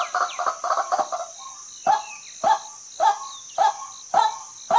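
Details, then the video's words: Rapid chattering run of notes from a female white-breasted waterhen, then slower single harsh notes spaced about 0.6 seconds apart, set against a continuous high-pitched insect hum. "เสียงนกกวักตัวเมียนกไก่นา maurornis phoenicurus ruak-ruak"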